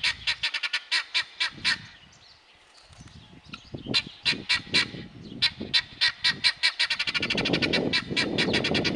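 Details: Helmeted guineafowl in loud, continuous, grating chatter: rapid broadband harsh notes repeated in long runs, briefly pausing before resuming with quickening beats, and some low background noise toward the end.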